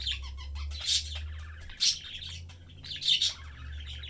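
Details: Caged family of budgerigars, parents and one youngster, chatting as they eat: a rolling buzzy warble with three piercing squeaks spaced about a second apart, over a low background drone.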